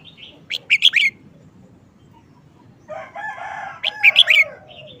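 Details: Red-whiskered bulbul singing in a short-phrase style: two quick bursts of three or four bright, warbled whistled notes about three seconds apart, with a lower harmonic crow-like call just before the second burst.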